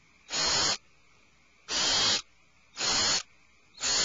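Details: Owlets inside their nest cavity screech in alarm: four rasping, breathy bursts of about half a second each, coming at slightly uneven intervals.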